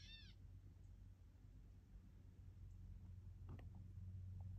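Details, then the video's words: Gray catbird giving one short, nasal, cat-like mew at the start, followed by steady low rumbling background noise. "Cute Grey Catbird"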